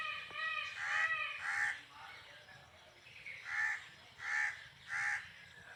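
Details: Peacock calling in a loud series of five harsh, nasal, strongly harmonic honks, roughly one per second, with soft low cooing from doves in the background.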